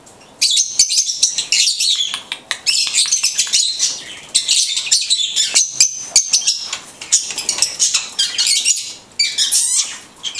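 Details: Blue-headed conure talking almost continuously: dense, raspy, babbling syllables in quick succession, briefly pausing, with a wavering warble of high squeaks at the close.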